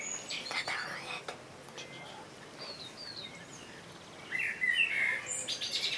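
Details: Common blackbird heard with faint scattered notes early on, then a clearer whistled phrase in the second half, sweet and warbling, over a soft noisy background.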